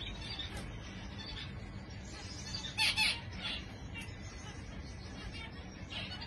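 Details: Zebra finch giving a few short, nasal, buzzy calls clustered near the middle, separated by quiet gaps, over a low, steady background hum.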